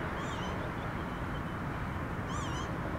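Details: Northern lapwing, a mother brooding four chicks under her wings in unseasonably cold weather, gives two wheezy, slurred, mewing calls about two seconds apart, half buried under steady low wind rumble.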